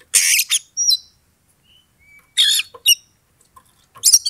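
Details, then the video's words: Oriental magpie-robin sounds meant to provoke a rival to fight: loud harsh buzzy bursts alternating with thin high whistles, in three separated bouts. "pancingan kacer EMOSI NAIK PELAN - PELAN"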